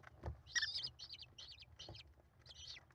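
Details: American kestrel chicks, five in the brood, being fed by their mother, live nest camera, 28 May 2021; quieter twittering squeals in a few short clusters, with soft knocks.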